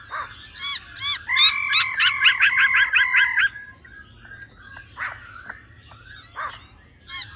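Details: Female laughingthrush giving 'ro ro' calls to stir up males: two looping notes lead into a rapid rolling trill of ringing doubled pulses lasting about two seconds, followed by scattered soft chips and a final looping note.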